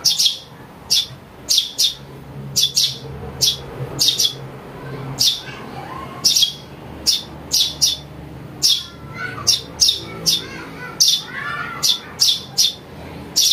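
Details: Recorded house sparrow chick calls used as a lure for trapping birds: sharp, high chirps repeated at uneven intervals, with faint lower whistles and a soft background hum.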